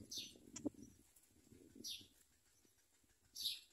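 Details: Hungry common myna chicks as adults bring locusts to feed them: short hissing, raspy high bursts at the start and near the end, with one in between, over soft low rustling and clicking.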